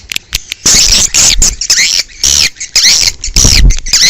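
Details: Outdoor swiftlet sound for attracting swiftlets: loud, buzzy high chirps in bursts of about half a second, each with a rising then falling whistle-like tone, separated by brief pauses.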